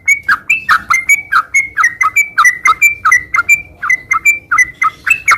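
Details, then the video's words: Sooty-headed bulbul giving a fast, non-stop 'gacor' song in the ngeropel style, meant to rouse moulting birds that have gone quiet: short bubbly notes near a steady pitch, each dipping then flicking up, about three per second, with no pauses. "Suara kicau burung trucukan gacor garuda sambung ngeropel"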